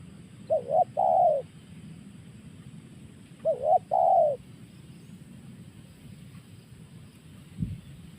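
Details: Spotted dove delivering its 'tekan' call: two phrases three seconds apart, a short quavering coo then a longer falling coo, followed by quiet and a single dull thump near the end.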